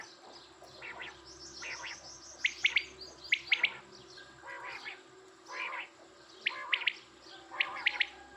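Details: Quail giving sharp, clipped three-note calls, repeated about every second or so. Softer, warbling calls from other birds fill the gaps, over a low background hum.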